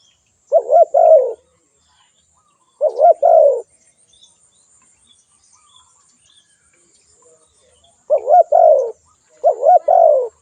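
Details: Spotted dove giving two-part coos, a quick wobbling note then a drawn-out falling one; two calls come early, a pause of several seconds follows with faint insect-like ticking, then two more calls close together.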